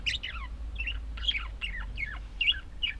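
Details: Pet budgerigars giving a steady run of short, high, warbling chirps, each sliding downward, about two or three per second.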